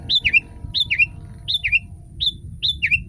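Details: Sooty-headed bulbul song played as a tutor for other bulbuls: rapid paired whistles, a high note sliding down into a lower buzzy slur, repeated about every 0.6 seconds against a low steady hum.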